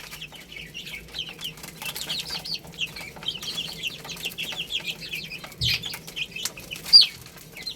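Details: Young chickens feeding on rice produce steady high peeps, short slurred notes in quick succession, with a louder sharp chirp near the end and occasional knocks.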